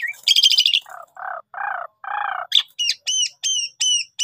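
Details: Javan pied starling trapping lure in full gacor song: a harsh rattling burst, four low nasal churring notes, then a rhythmic string of arched high whistles about every third of a second.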